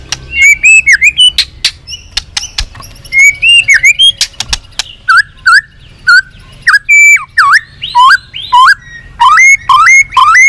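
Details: White-rumped shama singing a long song used to provoke other shamas: rich rapid phrases of whistled, looping and upslurred notes mixed with sharp clicks, continuous and varied throughout.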